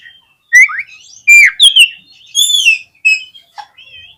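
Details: Oriental magpie-robin song used as a lure to make other magpie-robins sing and show their full repertoire: clean, loud whistled phrases, some sliding up or down, with sharp chirps and short buzzy notes between brief pauses, no background noise.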